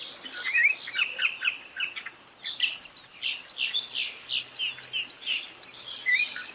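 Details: Song of a spot-breasted oriole with brief clear whistled, warbling phrases near the start and end, over a constant high insect hum, rhythmic ticking notes and other birds calling in the background.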